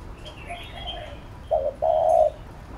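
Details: Spotted dove cooing in the 'thúc gù' style used for training a new bird: one short hollow note followed by a longer drawn-out coo, after soft high chirps and twittering in the background.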